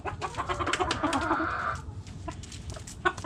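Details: Backyard hens clucking, with a drawn-out wavering call in the first two seconds followed by scattered short clucks over low background rumble.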